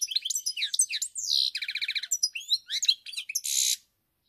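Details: European goldfinch song recorded on 7 March 2021: rapid high twittering with buzzy rising and falling notes, a run of evenly repeated chirps, then a harsh buzzing burst before falling silent.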